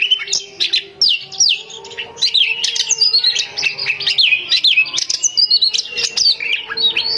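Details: Oriental magpie-robin female kept at home, calling to attract males, delivers a dense, nonstop stream of high whistles, quick down-slurred and up-slurred notes and harsh chips, varied and energetic throughout, over a faint low steady hum.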